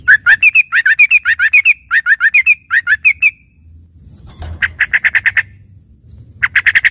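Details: Sooty-headed bulbul giving a fill-in (isian) song said to resemble a greater green leafbird: a rapid, chattering series of sharp repeated notes in fast bursts, several per second, with pauses between runs and a low background hum.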